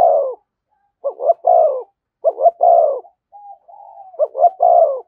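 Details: Spotted dove giving the "thúc gù" cooing call close to a decoy bird: low, mellow coos in quick two- and three-note bursts, each ending in a longer falling coo, about four phrases in five seconds, a faint soft hum between phrases.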